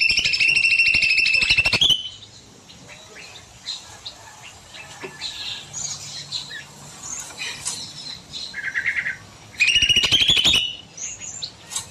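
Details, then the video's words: Evening aviary scene with a cucak mini bulbul in long song: two loud, rapid rattling trills at the start and near the end, with many faint high chirps and twitters from other birds between them. "Burung Cucak Mini Gacor Panjang"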